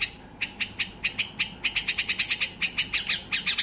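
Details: Agitated white-eared bulbul singing to push other bulbuls into song: a busy, accelerating string of bright chip notes, growing denser and slightly doubled toward the end.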